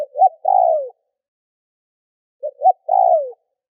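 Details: Lure spotted dove giving a pushing coo meant to stir up wild doves: two phrases, each a short double note followed by a drawn-out descending coo, separated by a pause of about one and a half seconds.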